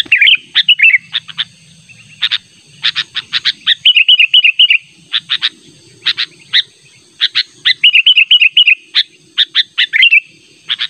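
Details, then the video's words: A sooty-headed bulbul lure call, a natural sound insistently calling a rival, with quick bubbly, chirping notes in irregular bursts, several per second, and short fluty phrases between over a faint low rumble. "Burung Kutilang Panggilan"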